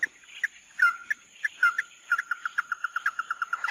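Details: Red-eye bird, locally mắt đỏ, giving scattered short notes and two sliding whistles, then a quickening series of clipped notes running into a rapid stutter.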